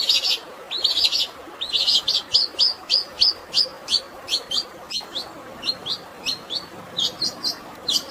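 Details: Long-tailed shrike with fighting-sparrow filler on a natural water background, for stressed birds. Scratchy opening notes lead into a lively, continuous string of bright chirps, two to three a second, over steady watery noise.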